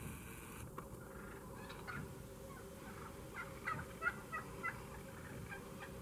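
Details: Wild turkeys, toms getting pushy while gathering for food as the weather cools, months before mating season, give a quick burst of short, clucking calls near the end, several in under a second, over a steady low rumble of wind.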